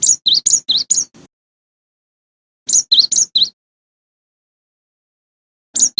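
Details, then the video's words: Cinereous tit song: bursts of four to five sharp, high whistled notes alternating between a higher and a lower pitch, a pause of over a second between bursts, on a quiet background. "Suara Asli Burung Gelatik Batu"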